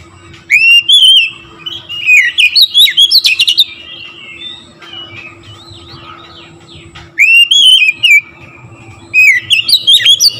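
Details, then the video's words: Magpie-robin gacor song meant to stir other magpie-robins: three bursts of loud, varied whistling, each opening with sharp rising notes that run into quick chattering phrases, separated by quieter pauses with a steady hum. "TERAPI KACER LAIN LANGSUNG TERPANCING EMOSI GACOR DOR"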